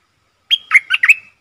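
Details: A single quick phrase of four rich, gurgling notes, the first higher and clearer, from a Streak-eared bulbul decoy bird used to attract wild birds and train young or silent ones.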